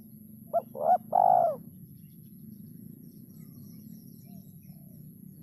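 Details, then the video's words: Spotted dove song in a rare rhythm: three mellow coos, short, medium, then long, followed by a long quiet pause and the start of another phrase, with a low hum underneath. "Burung Derkuku Iramanya Yg Sangat Susah Di Temukan"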